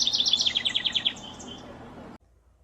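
A House Wren's fast, jumbled song: a tumbling run of high, chattering notes that bubble for about a second, then fade and cut off abruptly.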